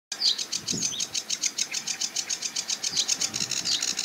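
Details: A male Sedge Warbler sings from a treetop on the edge of a marsh with a reedbed, giving a fast, chattering run of harsh, high notes, about six per second, with a few whistled phrases mixed in.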